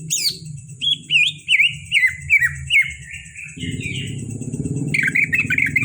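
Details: Caged greater green leafbird from Kalimantan delivering a run of clear downslurred whistles, about one every half second, descending slightly in pitch, then a buzzy trill as a low rumbling noise rises behind it.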